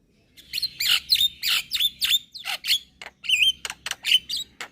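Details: Young Javan myna singing energetically while nodding its head: a quick series of harsh, buzzy bursts and clear whistled notes, several with short upward or downward slides, delivered in a steady jerky rhythm with no other sounds.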